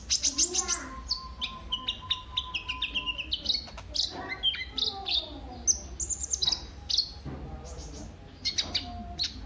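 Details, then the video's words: Lure song of the kolibri ninja sunbird, meant to prompt other birds to sing. A dense, rapid stream of high sharp chips and sliding whistles pours out almost without pause, with a faint steady lower whistle early on. "Burung KOLIBRI NINJA anda LANGSUNG GACOR pancingan dan masteran KOLIBRI NINJA GACOR"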